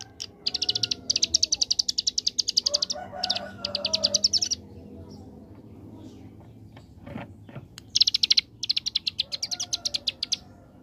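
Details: Hill prinia (ciblek gunung) singing 'ngebren' AK47: long machine-gun runs of rapid high notes, with a mid-pitched chatter in between and a lull with clicks, before fresh trill bursts return.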